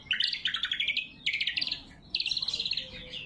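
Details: Greater green leafbird giving sharp, loud lure and training song: three quick phrases of bright, bubbling, stepped chirps, each about a second long, separated by short pauses.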